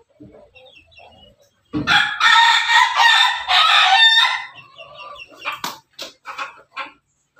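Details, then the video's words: Crossbred rooster of Pelung, Bangkok and ketawa (laughing chicken) lines, backyard; after a faint lead-in a loud, broken crow holds about two and a half seconds, then tails off in a falling drawl and short clucks. "ayam pelung Bangkok ketawa"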